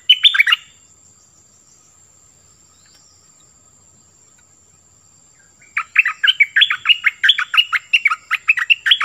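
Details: 'Pleng berm' style song of the nok dok taeng bird, for young birds to learn. A brief whistled phrase, five seconds of near silence, then a steady, rapid stream of bright, bubbling whistled notes.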